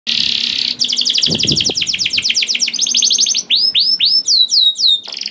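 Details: Canary in full song, a long rattling 'ngerek' style used as a lure to make other canaries sing: a buzzy flat trill, a fast pulsed roll, a steady high buzz, then a string of bright downslurred whistles, with faint low thumps.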